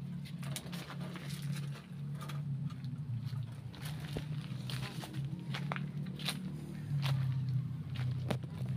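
A steady low hum with scattered knocks, crackles and faint movement noises, and no animal calls.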